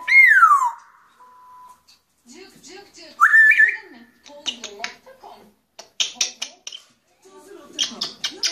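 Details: Grey parrot opening with a loud whistle that falls then holds steady, followed by another rising whistle, speech-like chatter and short clicking bursts.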